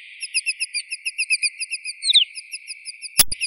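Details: Rapid, even series of high chirping notes from a white-winged snowfinch, about seven per second, with one slurred downward note midway and a sharp knock near the end.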